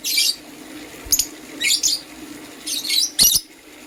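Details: Green and blue lovebirds in the morning give spaced bursts of harsh, buzzy high chirps, about one every half second to a second, over a faint background hum.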